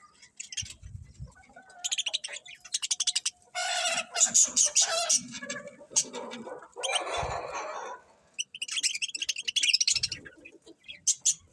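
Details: Birds chirping in the morning: loud bursts of rapid, harsh chattering and squeaky trills alternating with short pauses, plus a few low soft knocks.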